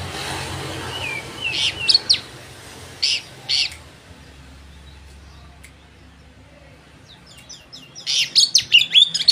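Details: Oriental magpie-robin singing as a lure to provoke rival birds: a few rasping high bursts, a long quiet pause, then a rapid run of sharp, scratchy high notes.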